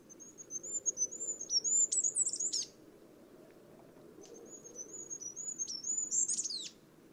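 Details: Wild Goldcrest singing two high, thin phrases of fast repeated wavering notes, each rising into a brief scratchy terminal flourish, separated by a pause, over a soft low rumble of background noise.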